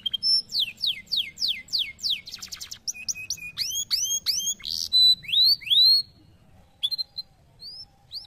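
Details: Canary song of rapidly changing phrases: quick falling whistles, a fast rattling trill, rising slurred notes and a brief harsh buzz, then several softer isolated chirps near the end.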